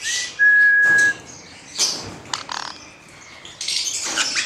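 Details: Male black-headed caique, hand-reared, gives one long, steady, pure whistle near the start. Scattered raspy squawks and short chatter follow.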